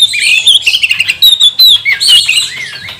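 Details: Oriental magpie-robin (kacer) singing a lure song meant to provoke other birds into singing: rapid, rich sequence of clear whistles, slurred rising and falling notes and buzzy chatter, delivered loudly and almost without pause.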